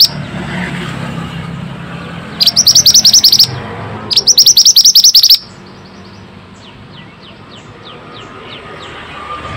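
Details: Pied bushchat in lively song, meant to coax stressed or quiet birds into singing: two quick bursts of shrill repeated notes, then faint distant chirps over low background noise.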